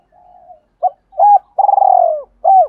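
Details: Lure-style cooing of a spotted dove, Thổ Pha đồng voice, meant to pull wild doves close: a soft low murmur, two short curved notes, then a long trembling coo and one more clipped note.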